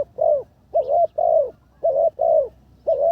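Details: Decoy spotted dove in training, third session, coos steadily in paired low hooting notes, a short note then a longer drawn-out one, repeated without pause.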